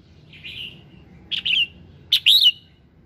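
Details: Red-whiskered bulbul morning song used to prompt other birds to sing: short whistled, warbling phrases near mid-high pitch, a soft opening note then two louder bursts with clicks, over a low steady hum.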